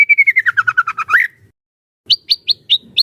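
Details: White-rumped shama singing as a trainer for other shamas: a descending run of quick clear whistled notes ending in an upward flourish, then after a pause five sharp high chips spaced evenly.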